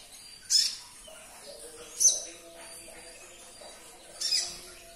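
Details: Caged olive-backed sunbird (konin): three sharp, high chirp bursts roughly every one and a half to two seconds, with soft faint twittering and hum in between.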